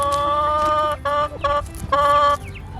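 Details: A backyard hen, described as very whiny, gives four drawn-out nasal whining calls in under three seconds while being offered food on a spring morning near Hamilton, Canada; the first call is long and three shorter ones follow.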